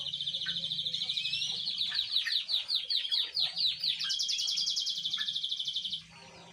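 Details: Young canary learning to sing, a juvenile practising its song: a continuous run of fast trilled and rattling phrases, rising and falling, with some buzzy stretches, ending abruptly after about six seconds; faint low hum beneath.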